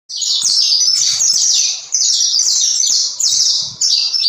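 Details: Saffron finch singing: a fast, high, bright run of downslurred whistled notes in tight bursts, nearly continuous with two brief breaks, no other sounds.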